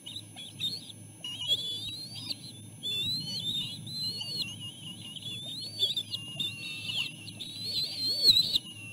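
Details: Bald eagle chicks at the nest, the mother feeding them while siblings shove to get ahead; a near-continuous stream of thin, warbling high whistles, louder near the end, with a low background hum.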